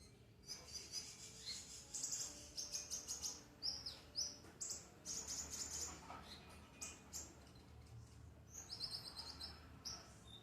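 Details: Konin bird singing in the morning: rapid bursts of thin, high, bright chirps and short trills, delivered in quick phrases with brief pauses between them, over a faint low background hum.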